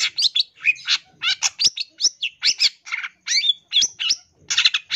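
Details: Long-tailed shrike masteran song: loud, dense, varied phrases of harsh chatter mixed with bent whistles, delivered in quick bursts with short gaps.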